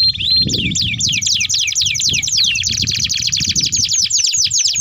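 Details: Energetic canary singing a long rolling song for luring and tutoring young birds: rapid downslurred whistles racing into a dense high trill, with faint low rumbling beneath.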